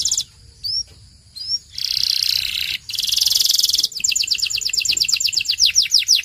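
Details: Belgian canary training song: a few isolated high upslurred whistles, then two dense buzzy rattling trills, followed by a rapid run of sharp descending whistled notes.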